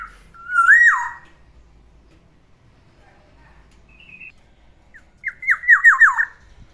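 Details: Morning song of a caged black-naped oriole kept as a pet: a loud swooping whistled phrase, a pause with a soft short note, then a rapid series of five falling, liquid notes.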